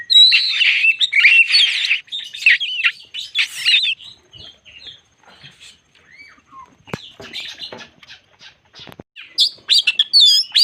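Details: White-crowned shama lure song to excite trainee birds: loud, dense warbling for four seconds, then quieter clicks and scattered chirps before the loud whistles return near the end.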